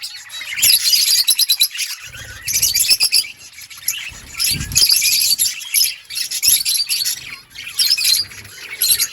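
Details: Budgerigars twittering in loud clusters of sharp, high chirps and buzzy warbles, with short pauses and occasional low thuds between bursts.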